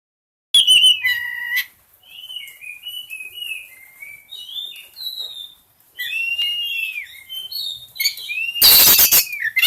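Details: Oriental magpie-robin in breeding condition singing: after a sharp opening note, a series of clear whistled phrases that slide down and up, some bright and rising, with a short burst of harsh noise near the end.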